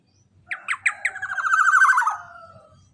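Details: Black-naped oriole calling loudly, used to lure other orioles: four short sharp rising notes, then a drawn-out nasal, buzzy phrase sliding gently downward, on a quiet background.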